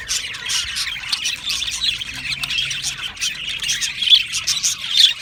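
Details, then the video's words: Budgerigars in an aviary, described as happy, chirping together: a dense, continuous chatter of overlapping high, scratchy chirps and warbles, pulsing irregularly about once a second, with a few sharper squeaky notes near the end. "Happy Budgie birds chirping sounds"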